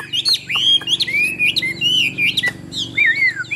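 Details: Chinese hwamei singing rich, sliding whistles with rising and falling slurs broken by short sharp notes, in a small indoor space.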